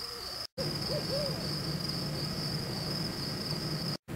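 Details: Barred owl (Strix varia), hoots.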